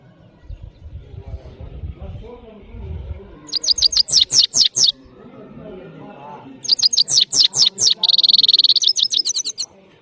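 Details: Parachinar goldfinch singing powerfully: two phrases of fast, loud, descending twittered notes, the second ending in a long dry buzzy trill, with low rumbling background noise before and between them.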